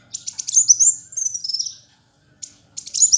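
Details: Sunbird known locally as Kolibri Wulung, a fighter-type singer used for tutoring: a burst of shrill, high twittering with fast sliding notes, a short silence, then quick high chirps resuming.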